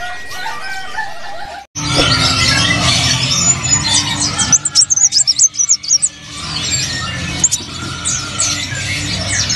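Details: A caged Van Hasselt's sunbird, one of four in mixed stock at a bird-market kiosk, gives sharp, fast, thin high chirps and twittering trills at about four notes a second, with other small birds calling over a low room hum.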